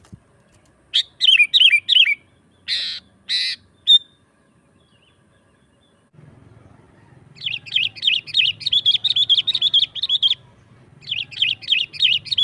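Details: Sooty-headed bulbul singing 'gacor' style as a lure for wild bulbuls: short scattered bursts of bright chirps and buzzy notes, silence, then a long, quick string of hooked chirps broken by a brief pause.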